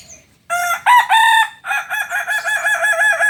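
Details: Kukuak Balenggek rooster, a native Solok chicken, crowing at a 2023 record event in Padang: a few short loud harmonic notes, then a long run of rapid, evenly stepped, wavering syllables lasting about two seconds.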